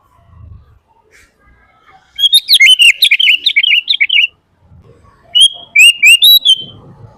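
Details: Sooty-headed bulbul singing energetically, used as a lure and master recording: one long bubbling phrase of fast warbled whistles, a short silence, then a brief phrase of three to four clear notes, with low background rumble.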